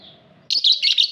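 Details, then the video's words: Lovebird in an aviary giving a quick burst of shrill, buzzy chirps after a brief quiet start, lasting under a second. "Lovebird Singing Call & Chirping Sounds v2"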